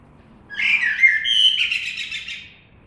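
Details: Fluting blackbird phrase: low mellow whistles sliding into a sustained warble with faint high twittering overtones, in a quiet setting.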